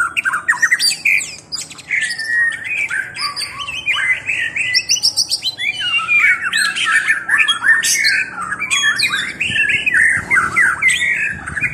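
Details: White-rumped shama singing a rich, varied run of whistled phrases, rising and falling sweeps and sharp chattering notes, delivered continuously and loudly with scarcely a pause across the whole stretch.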